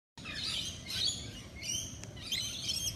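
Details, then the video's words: Wild parrots give harsh, high chattering squawks in quick bursts, about four in three seconds, over a steady hiss of outdoor noise. "cute wild parrots talking sound"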